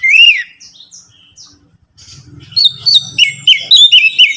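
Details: Orange-headed thrush song played to get a captive bird singing: a loud rising-falling whistle, quiet soft notes, then repeated bright slurred whistles over a low hum.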